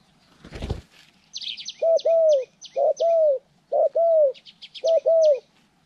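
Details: Spotted dove being trained for bird trapping, January 14, 2020: four rhythmic two-part coos, a short note then a longer falling one, each about a second apart, over bright chirping of small birds and a brief thump.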